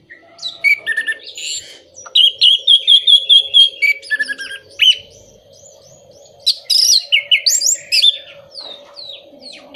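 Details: Varied Orange-headed thrush song played to encourage moulting or silent birds into song: clear high whistles, a run of evenly spaced repeated notes, then scratchy, tumbling phrases, with a faint steady hum behind.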